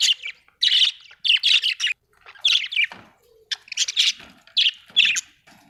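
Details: Budgerigar chirping, described as an Australian bird: harsh, scratchy bursts of chatter, each about half a second long, coming in quick clusters with short silent gaps. The bursts are loud and buzzy, with no other sounds.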